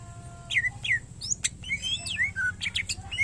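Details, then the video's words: Greater green leafbird song meant for training other birds: long falling whistled slurs alternating with sharp chips and short buzzy notes, over a constant low throbbing hum. "Cucak Ijo Gacor Isian Pilihan Terbaik Cocok Buat Masterin Burung Lain Yang Malas Bunyi"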